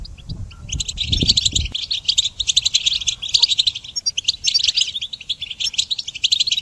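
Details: Goldfinch singing for songbird training: after a short opening of low thuds, a fast run of bright chirps, twitters and liquid trills runs on without stopping, dense and high.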